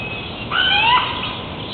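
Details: A Hawaiian crow, a species extinct in the wild, gives one half-second call, a slightly falling, nasal squawk rich in overtones, against a faint steady hiss.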